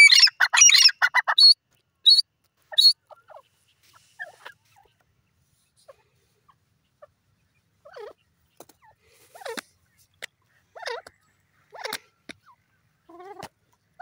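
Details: Partridge, called teetar, giving loud harsh squawking bursts packed into the first three seconds, then softer scattered chirping calls spaced irregularly through the rest.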